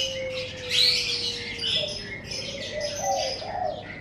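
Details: Morning birdsong outside a house: a long, level low whistle at the start, then rising cooing notes, all under a busy layer of high chirps and twitters.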